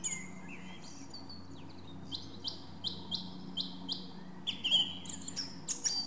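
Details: Song thrush (Turdus philomelos) singing loud, clear phrases: one short note repeated four or five times in quick succession, then new whistled and chirpy motifs, over a low background hum.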